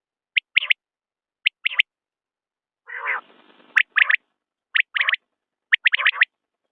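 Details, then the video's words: Common quail giving repeated sharp three-note phrases, a clipped note and then a fast pair, about once a second, interrupted once by a brief rasping, nasal burst. "بٹیر کی آواز/ quail bird sound"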